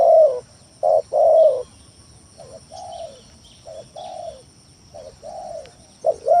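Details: Spotted dove cooing as a lure recording meant to make rival and lazy doves call back; a loud stuttered coo then a long one, trailed by quieter repeated coos over several seconds, faint high whine throughout.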